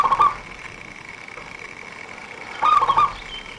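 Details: Zebra dove of local stock used by trappers as a lure. The tail end of one phrase is followed after a pause by a full quick, bubbling cooing phrase, with a faint constant whine behind it.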